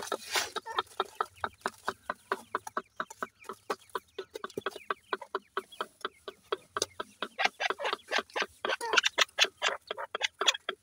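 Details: Grey francolin, a female with her chicks during breeding season, feeding them; short clucking notes repeat steadily several times a second, growing louder and busier toward the end, with faint chirps in the background.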